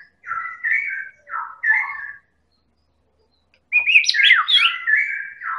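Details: White-rumped shama of the Medan type, a lure recording to provoke other birds into singing: clear whistled phrases around mid pitch, a pause, then a louder burst of rich warbled and rising notes.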